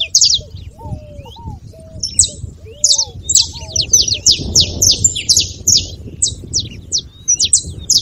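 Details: Saffron finch chirping in an accelerating series of crisp, high notes that grow denser toward the end, with soft low whistles early on and a faint hum behind.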